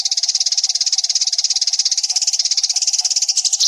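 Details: Eurasian tree sparrow nyrecet chatter played as masteran to provoke singing: an unbroken, very fast stream of harsh high ticks, about eleven per second, over a faint constant hum.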